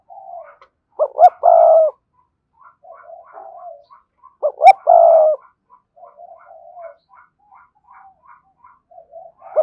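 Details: Spotted dove used as a decoy bird, praised for a fine, spirited 'thúc' voice: two loud cooing phrases of two quick notes and a drawn-out low coo, separated by quieter murmuring coos.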